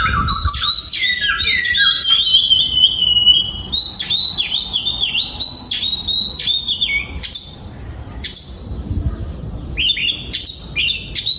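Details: An oriental magpie-robin in a breeding aviary sings loud, varied whistles. A low rising note opens into a sustained warbling phrase, followed by sharp clicks, trills and quick swooping notes roughly twice a second.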